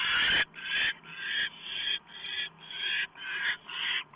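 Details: Owl at a nest in the evening of 1 November 2015, around a small mouse delivery. Harsh, breathy screeching hisses come in an even series about twice a second, eight or nine bursts in all, over a low hum.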